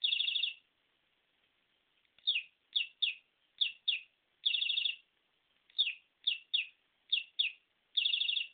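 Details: A pet budgerigar meeting a fake parakeet for the first time, at night, gives bright, buzzy chirps and short downslurred notes in quick bursts.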